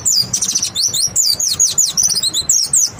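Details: Lure song of a white-eye for prompting other white-eyes to sing: dense, bright, very high twittering with rapid slurred whistles and short trills packed closely together.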